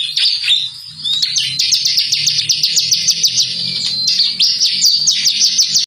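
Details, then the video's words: Bar-winged prinia song used as a lure to make birds sing, in the styles called ciblek semi, ciblek kali and ciblek kristal: dense, rapid, high chirping and trilling phrases, repeated without pause, with faint low hum beneath. "pancingan burung ciblek gacor. ciblek semi ciblek kali ciblek kristal."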